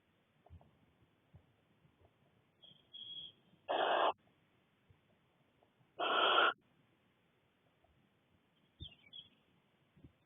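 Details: Six young barn owlets in a nest box in Cornwall, mother absent on a short flight; two loud drawn-out hissing screeches, preceded and followed by softer thin squeaky notes and light shuffling noises.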